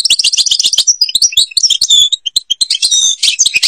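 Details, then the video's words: Song of a European goldfinch from the Babas forest at Tiberli, Algeria: dense, fast tinkling twitters and buzzy trills, varied high notes running almost without pause. "canto jilguero argelia"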